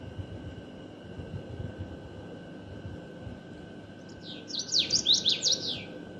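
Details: Common waxbill song arriving after several seconds of quiet background hum: a burst of high, nasal, rising-and-falling buzzy notes repeated rapidly in a brief phrase near the end.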